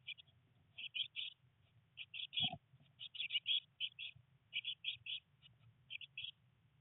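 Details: Day-19 Eurasian blue tit young, three in a nest box, rain and first flight attempts; high chirps in short groups, roughly 53 a minute and irregular, with one low thump near the middle.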